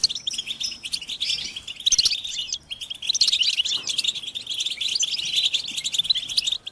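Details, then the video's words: Collective twittering of European goldfinches, mating and readiness calls to stimulate captive males. Loud, thick high chirping and sparkling trills, pausing briefly near the third second before resuming. "بتبتة الحسون تحفيز الحسون على التغريد والهيجان علاج صمت الحسون goldfinch stimulation"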